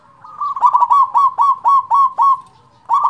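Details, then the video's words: Big-voiced local zebra dove, kept to coax lazy doves to sing: a run of about eight evenly spaced, clipped mid-pitched coos in quick rhythm, then a brief pause and another loud note. "perkutut lokal suara besar cocok untuk pancingan perkutut malas bunyi"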